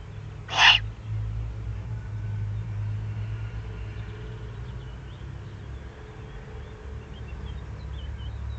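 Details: Eurasian eagle-owl beneath its breeding site in the Eifel, Germany, on 31 May 2020; one brief, harsh, breathy hiss near the start, followed by a steady low rumble like distant traffic.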